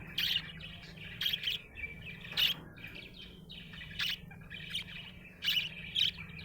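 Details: Happy budgerigar giving loud clipped chirps and squeaks in small clusters, separated by softer throaty chatter, with a steady low electrical hum behind.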